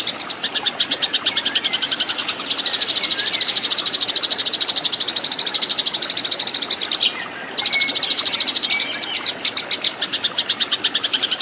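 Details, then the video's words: Fighting song of a Eurasian tree sparrow used to train caged birds. Rapid, dense chattering of high, bright chirps continues almost without a break. A few short, thin whistles are mixed in, over constant faint hiss. "MASTERAN BURUNG GEREJA TARUNG"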